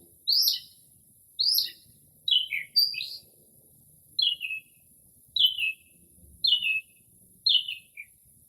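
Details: A northern mockingbird sings at night in early spring, copying various birds. It gives loud rising-falling chirps, then a fast tumbling phrase, then four alike descending slurred notes about one second apart, in otherwise quiet air.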